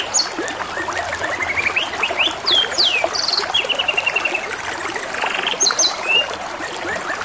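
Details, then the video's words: A canary sings over babbling water, mixing quick climbing note runs, sharp descending slurred whistles, a steady row of rapid short notes and brief high chirps in close succession. "TERAPI SUARA KENARI DAN SUARA GEMERICIK AIR | CANARY SINGING"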